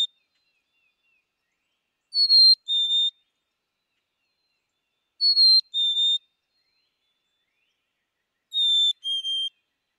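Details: Three slow whistled fee-bee phrases from a black-capped chickadee, spaced about three seconds apart, each high note falling to a lower one, the final phrase pitched somewhat lower than the others; otherwise silent.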